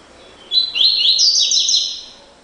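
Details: One double-collared seedeater phrase in the classic "tui tui" style: rising and falling high whistles run together into a rapid, rich warble lasting about one and a half seconds over quiet background.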